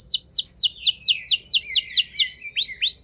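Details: Canary song used as a lure to provoke other canaries into singing: a run of rapid descending whistled sweeps about four a second, then higher rising upslurred notes near the end.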